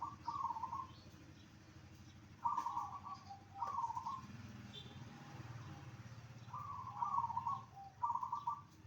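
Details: Zebra dove song meant to make other zebra doves respond, with repeated brief rolling, trilled coo phrases in small clusters, separated by pauses, against a steady low background rumble.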